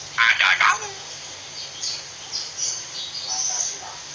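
A common hill myna gives three quick, harsh, speech-like syllables. A few thin, high whistles follow over faint background hiss.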